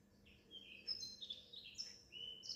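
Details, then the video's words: Songbirds singing at a window; thin high whistled phrases and chirps, fairly faint, with a low background hum. "Singing birds 🐦‍⬛at my window"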